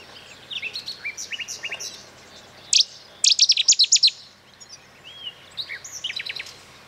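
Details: Goldfinch song recorded in May 2010 by the Eastriver at Skala Kaloni on Lesbos, Greece: tinkling high twitters with fast rattling bursts of repeated notes, lively and varied, with a quiet background.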